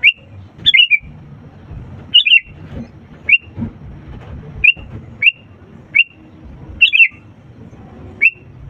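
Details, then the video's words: Sooty-headed bulbul song meant to stir silent birds into singing: around ten notes mixing single sharp whistles with short tumbling warbled phrases, irregularly spaced, over low background rumble. "pancingan kutilang gacor untuk burung malas' bunyi"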